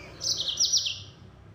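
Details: Short, fast 'nembak' phrase from a yellow-fronted canary (mozambik): a loud, high, buzzy trill that ripples for about a second.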